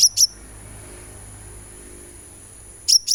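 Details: Sunbird sound played as therapy to encourage singing: a pair of very high, sharp chirps, a long silent gap, then another matching pair, over a faint constant whine.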